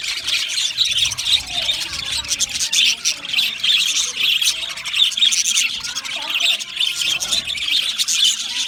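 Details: Budgerigars, small Australian parrots, chirping together: a dense, continuous mass of high, scratchy chirps and squawks overlapping without pause, with a few faint lower whistled notes underneath.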